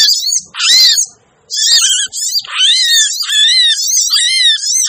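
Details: Lure calling of little spiderhunter (sogon): strained, harsh high notes in long rough bursts with wavering downward slurs, one brief gap, then a near-continuous stretch of grating, shifting notes.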